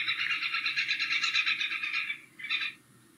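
A White-backed woodpecker gives a fast, dry rattle lasting about two seconds, then one brief burst, over a low steady hum.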